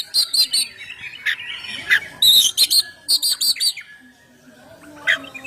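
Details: Kacer, or oriental magpie-robin, singing ngeplong-style as a lure to make birds sing; clusters of quick high ringing notes, a harsh buzzy passage, more rhythmic bursts, then a brief quiet pause and a final note.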